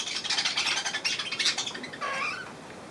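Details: Three hand-tame cockatiels, new to a shop, give scratchy, buzzy chatter for almost two seconds, then one clearer whistled note that rises and falls; recorded 16 October 2023.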